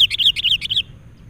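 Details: Sooty-headed bulbul in the wild, excited by a lure bird during a trapping session, gives a fast chattering string of five or six bubbly, slurred whistles lasting under a second, then falls silent.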